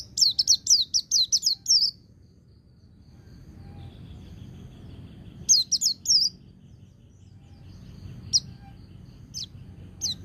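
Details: White-eye (pleci) singing in ngecir style joined to ngalas, used for song training: a rapid burst of about eight high, sharp descending notes, a pause with faint thin notes, a second short burst, then scattered single high chips.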